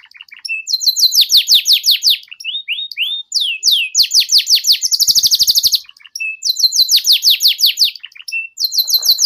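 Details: Young canaries being tutored with canary song in ngeriwik style: long series of rapid descending trilled notes, short whistles and rising slurs, a dense fast buzzy burst midway, then more trills.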